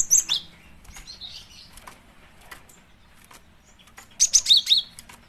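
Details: Female cinereous tit calling, used as a lure: two short bursts of high, thin chirping notes sliding downward, one at the start and one near the end, with faint scattered ticks between.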